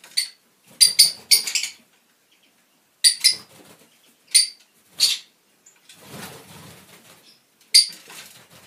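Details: Fischer's lovebirds of lutino, albino and other colour mutations give shrill, sharp chirps in short bursts, some doubled or in quick runs, separated by pauses, with a stretch of soft rustling.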